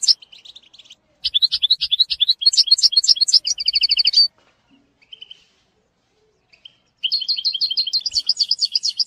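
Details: Goldfinch song meant for teaching a young bird: brisk twittering phrases, a buzzy rattling trill, a quiet gap with a few soft notes, then lively twittering resumes.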